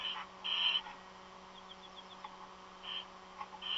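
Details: Strange calls of an unidentified bird, not an eagle, coming from a nest: short, high, harsh tonal notes in spaced bursts, with faint soft chips in between over a steady low electrical hum.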